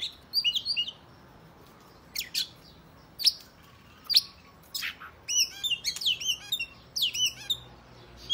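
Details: Male-provoking fighting song of an Oriental magpie-robin: a short whistled phrase, then spaced sharp single notes about once a second, building into rapid twisting whistles and trills toward the end.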